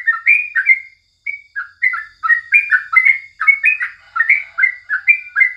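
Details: Sooty-headed bulbul morning song for training birds: loud, chirpy phrases of liquid whistled notes, broken by a short gap, then resuming as a fast bubbling run.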